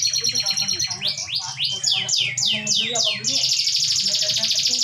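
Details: Canary song meant to prompt other canaries to respond: high rapid trills and a series of descending swept notes, ending in a sustained buzzy trill, with faint low background hum.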